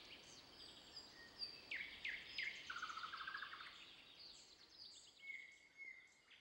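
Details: Wild birds in the Voronezh Nature Reserve, several singing at once: downslurred whistles, a quick rattling trill and long thin high notes over soft background noise.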